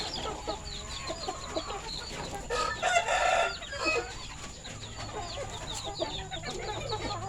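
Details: Red-and-orange feathered village rooster on a poultry farm during afternoon feeding, February 2022, giving a loud drawn-out harmonic crow of about one and a half seconds, with busy high chirping and clucking from other chickens around it.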